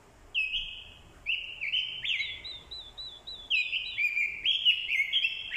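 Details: Orange-headed thrush decoy bird singing a fighting song in response to a female's call: drawn-out sliding whistles at first, then increasingly rapid, loud, jumbled warbling phrases.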